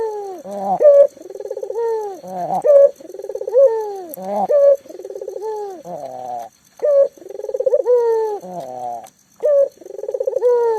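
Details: Local spotted dove calling persistently, recorded as a lure so mute doves start calling; rolling pulsed coos, each ending in a drawn-out falling note and a sharp bright accent, repeated many times in steady sequence.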